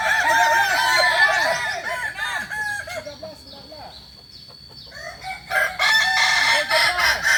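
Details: Kokok Balenggek chickens at a shared crowing practice, Ampang Kualo, Solok City, West Sumatra: a long stepped crow of bouncing arched notes that fades out, a quieter stretch, then fresh loud overlapping crowing.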